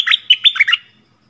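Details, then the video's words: Short bubbly phrase from a yellow-vented bulbul used as a lure sound for wild birds: about five quick liquid notes within a second, then silence. "เสียงต่อนกดอกแตง Ep.37 นกป่าถึงกับ งง!! Burung merbah kuning"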